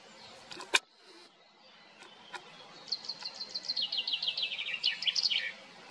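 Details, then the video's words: Common chaffinches singing on 8 June 2024: a bright rattling phrase of quick repeated notes descending toward the end, over a steady background hum and a few sharp clicks. "Buchfinken am Singen"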